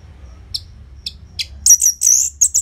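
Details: Orange-headed thrush song used as a loud, tightly paced lure to get silent caged birds singing: two short high chips, then a burst of shrill whistled and buzzy notes over faint low hum.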